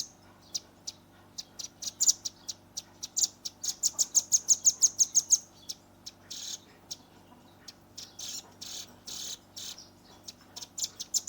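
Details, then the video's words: Velvet-fronted nuthatch youngster singing in lively 'nembak rapat' style, captured on a Redmi 10: scattered sharp high notes building into a dense burst of about ten ringing notes, then rough, buzzy chirps repeated irregularly. "RAMBATAN PARUH MERAH gacor nembak rapat"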